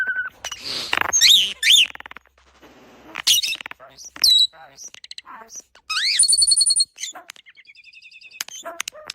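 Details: Starling imitating human speech with a jumble of voice-like babbling, sharp squeaks, rising whistles and rapid clicking rattles, delivered in quick, varied bursts.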